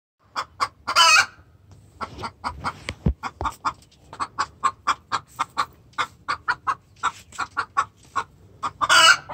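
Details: Hen giving a distress call to the rooster: rapid, repeated sharp clucks about four per second, with loud harsh squawks at the start and again near the end.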